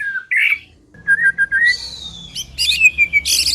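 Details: White-rumped shama song used as a lure to set other birds singing: a short low whistle, a row of clear mid whistles, then a long falling high whistle ending in a sharp burst of higher notes.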